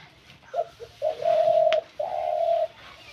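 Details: Short stuttering notes build into two long, even, hollow coos from a spotted dove, with a brief tap between them against a quiet background.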